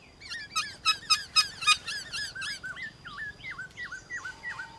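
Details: Outdoor morning song duel of black-throated laughingthrushes: quick repeated chirping notes followed by a row of dipping, hooked whistled notes, fairly distant, with steady background noise.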